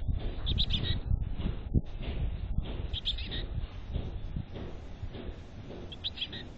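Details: Chickadee at a nest box in North Vancouver, giving bursts of high, thin twittering chips in quick clusters, with a strong low rumble and knocking from inside the box underneath.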